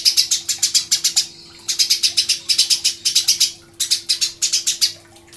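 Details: Steady strings of loud, sharp chirps from a Eurasian tree sparrow, grouped in bursts of five to eight with short pauses, intended as master song for songbird training; faint hum behind.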